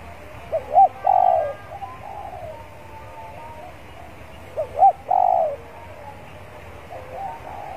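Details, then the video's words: Spotted dove decoy bird warming up outdoors in a yard, meant to keep it singing steadily. Two separate cooing phrases about four seconds apart, each a quick doubled note and then a longer hollow coo, with quiet gaps between. "AGAR PIKAT SELALU GACOR DI LAMAN WALAU SEBENTAR HARUS PEMANASAN"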